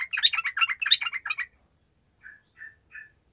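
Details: Sooty-headed bulbul in 'gacor' song for coaxing lazy birds to sing: a busy, throaty burst of bubbling phrases for a second and a half, then three short soft whistled notes spaced evenly.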